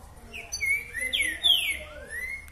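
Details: Green-winged saltator (trinca-ferro boca mole boi) recorded 2 June 2020, singing loud, rich whistled phrases of slurred notes, some falling and some rising, in quick succession against a faint low background hum.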